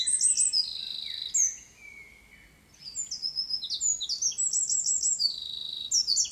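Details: Energetic high-pitched song of the Eurasian wren: quick trills and chirps, a falling thin note and a short lull, then rapid repeated rattles and sharp twittering phrases.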